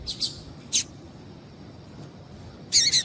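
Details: Short piece of female double-collared seedeater calling, used to prompt males to sing: a doubled chirp, one single sharp note, a pause, then a dense, buzzy chirp cluster.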